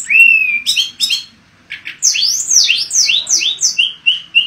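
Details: Mangrove blue flycatcher song: a clear falling whistle and a few sharp notes, a short pause, then a series of bright slurred whistles descending in steps.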